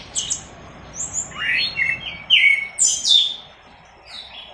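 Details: Tutor song of an orange-headed thrush, teler style, for training cage birds: sparse sliding whistles and sweeping notes with quiet gaps between them.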